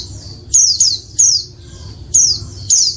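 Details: Female Oriental white-eye calling to trigger male singing: sharp high notes that drop in pitch, in quick pairs with gaps, over a soft low rumble.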